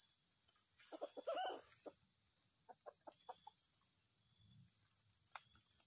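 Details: White-legged wild junglefowl being lured: a louder cluster of rough clucks early on, followed by a series of short, evenly spaced clucks, with constant shrill insect buzzing behind.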